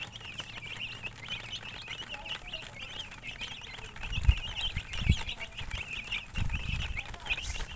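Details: Colored chickens (murgi) chirping. Rapid high peeps overlap continuously, suggesting several birds. Dull low thumps and bumps come in the second half.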